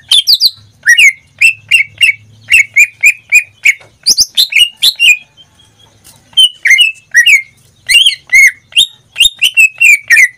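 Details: Greater green leafbird kept as a pet, singing steadily: strings of short whistled notes repeated in bursts, mixed with sharper high chips. After a short quiet gap it resumes with varied slurred phrases.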